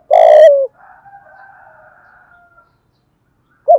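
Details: Spotted dove, 'giọng Thổ' voice, singing a lure song of calling, urging and cooing meant to stir wild doves to call; one loud hollow coo sliding downward, then quiet murmuring and a final coo beginning.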